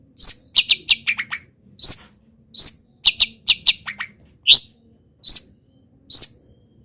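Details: Local long-tailed shrike, actively singing despite moulting, filled with imitations of wild birds: sharp high chirps and downward-sliding notes in quick clusters, then single rising whistled notes spaced about a second apart, over a faint low hum.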